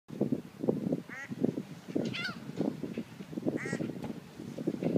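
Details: Ducks quacking in a chorus of harsh, nasal bursts repeated several times a second, overlapping throughout, with a few higher chirping bird notes rising above.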